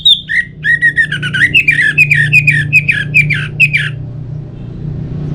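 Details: Orange-headed thrush (anis merah) song played as a lure to make other birds sing: quick run of loud, slurred whistled notes, each rising and falling, about two per second for four seconds, over a steady low hum.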